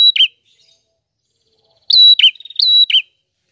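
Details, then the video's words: Vocal prinia with a clean, clear song used for tutoring other birds: a high flat whistle dropping into a chirpy slur, then a pause and two more linked phrases joined by rapid ticking notes, no background noise. "Burung Prenjak Gacor Suara Jernih"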